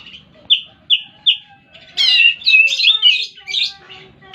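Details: Oriental magpie-robin singing: three short clear whistled notes, then a louder run of varied warbled, buzzy phrases between mid and high pitch.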